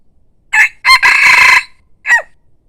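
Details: Decoy rooster crowing: a short opening note, a loud sustained crow of under a second, then a brief falling closing note, with no other sounds.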